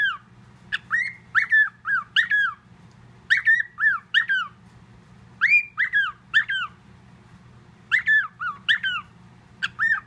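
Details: Pet parrot mimicking a whistled tune mixed with other whistles, indoors; clear harmonic whistled notes that swoop and bend, delivered in short bursts of two to four notes with pauses between, over a low steady hum.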